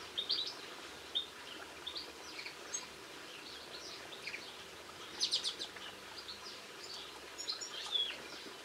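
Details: Linnets singing on 22 March 2016: a loose series of sharp twittering chirps and brief trills spread through the recording, with a louder burst of rapid notes midway and another near the end.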